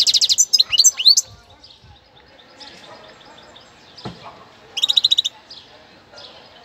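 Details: A novice European goldfinch from Cádiz, kept as a motivating singer for other cage birds. It gives bright twittering notes and slurs at the start, then a quick tinkling burst midway, over a noisy background.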